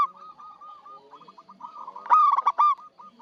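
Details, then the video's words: Zebra dove of local Javanese stock, loud and singing often, kept as a trapping lure: low rapid coo trills build up to a loud, quavering, harmonic phrase of a few notes, followed by softer repeated cooing. "PERKUTUT LOKAL GACOR UNTUK PANCINGAN SUARA BURUNG PIKAT"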